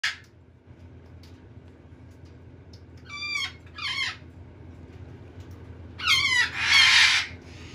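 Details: Red-sided eclectus parrot; begging call; chick begging for food while being hand-fed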